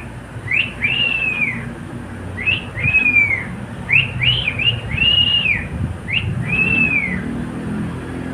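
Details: Pet cockatiel sings a short tune of arched whistles, a quick rising note leading into a longer falling one, repeated several times above a low humming background.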